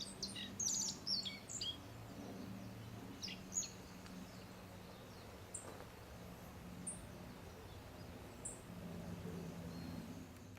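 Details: Black-faced bunting perched about 3 m away at Settsu Gorge, northern Osaka, calling: thin, sharp high 'tsip' notes, a quick flurry then single notes every second or two, over a steady low rush of water and hum.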